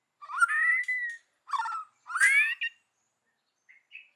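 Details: White-rumped shama, forest-voice style: three short phrases of rich, upslurred whistles mixed with buzzy overtones, separated by brief pauses, then faint high notes.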